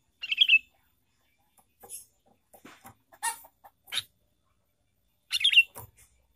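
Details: Trapping lure of a sooty-headed bulbul, two loud squeaky chirp bursts several seconds apart, separated by scattered faint clicks and thin high notes.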